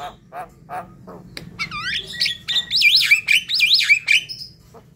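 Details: Night prompt song of a Javan myna: soft scratchy notes give way to looping, wavering whistles that rise and fall repeatedly, buzzy and squeaky in tone.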